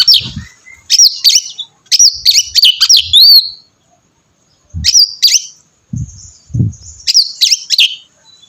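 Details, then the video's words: Oriental magpie-robin, a lively singer used to spur another to sing, delivers bursts of rapid, looping whistled notes in short phrases separated by pauses, with a few low knocks. "kacer gacor mancing kacer lain ikut bunyi"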